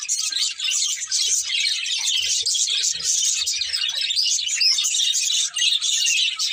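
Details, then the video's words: Breeding pair of budgerigars giving a steady stream of rapid, high twittering chirps and warbles, with one clearer whistled note near the middle and faint low bumps beneath. "Beautiful Budgies Chirping Sounds | Love Birds Breeding Pair"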